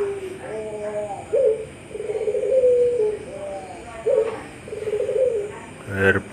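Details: Caged puter pelung dove competing in an online bird song contest in Sragen, Java, October 2021, judged best of the month: low, drawn-out cooing phrases, two long swelling coos with short lead-in notes, then a sharp click, with faint talk behind.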